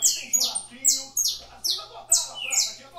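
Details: Saffron finch (canário da terra) from a breeding aviary in Brazil singing in the figurando style: bright high notes each sweeping sharply downward, delivered in quick bursts roughly every half second, with a faint low steady hum beneath.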